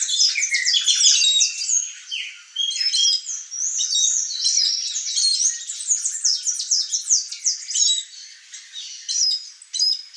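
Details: Pair of Blue Dacnis, male and female, at fruit shared with bees; dense, overlapping high chirps and short twittering notes run almost continuously, with brief sharp downslurred call notes scattered through.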